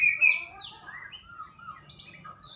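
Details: Brief snatch of white-rumped shama song, meant as a lure to get a shama singing: a loud whistled note at the start followed by softer gliding whistles and chips.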